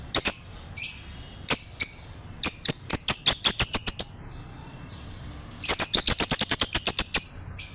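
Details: Pair of pet lovebirds chirping while bonding: bursts of sharp, high squeaky chirps, some with a rising whistled tail, a quiet gap, then a dense rapid burst of chirps.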